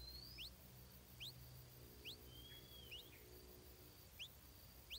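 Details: Stripe-throated bulbul nestling fed insects by its mother, calling with five thin, steeply rising chirps about a second apart, plus one brief slurred whistle, against a quiet low hum.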